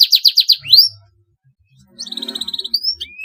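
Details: Canary in long 'gacor' song, said to provoke rival birds into singing: a fast run of buzzy downslurred notes, a rising whistle, a quiet pause of about a second, then a rapid chattering trill and thin rising whistles.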